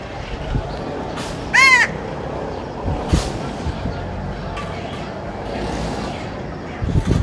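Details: One loud, hoarse crow caw early on, followed by scattered faint clicks and knocks against a constant outdoor background hum.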